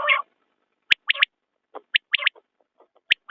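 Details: Common quail repeating its crisp three-note call about once a second, each phrase a quick bright note followed by a doubled one, with a few softer low notes between.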